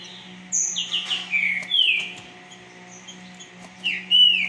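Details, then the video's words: A green-winged saltator sings very fast and imposing, a loud run of rich whistled phrases that slur downward, with a steady low electrical hum underneath. "trinca-ferro muito rápido imponente"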